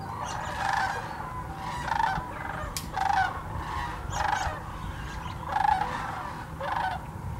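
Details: Migrating sandhill crane flock at Hiwassee Wildlife Refuge in Birchwood, Tennessee, filmed on GoPro and Canon cameras; loud rattling bugles come in pulses about once a second, overlapping calls from many birds.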